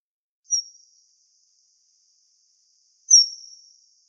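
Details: Common kingfisher at a river in Wittlich, Germany, 2017, giving two thin, piercing high whistles, each sharp at the start and trailing off, about two and a half seconds apart; otherwise quiet.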